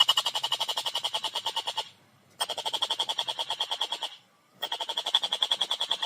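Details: Clear, fast chattering from a Collared kingfisher: three long runs of harsh, rattling notes, about three per second or faster, broken by brief silent gaps.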